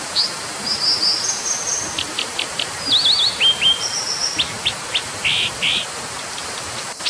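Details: Brown dipper singing a varied high phrase: thin trills, quick zigzag notes, sharp clicks and two broad rasping bursts, all above a continuous rushing background.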